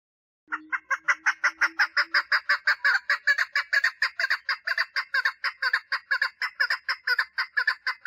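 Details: A female Chukar partridge calling for mating gives a fast, rhythmic run of harsh clucking notes, about three per second, steady for eight seconds with a faint low hum at the start.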